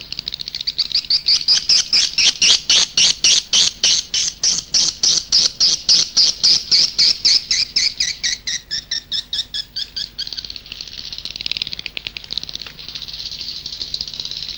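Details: Edible-nest swiftlet calls from Indonesia, used as a lure outside a nest house: a long, rapid, regular train of high chirps, almost four per second, fading into a continuous dry buzzing chatter.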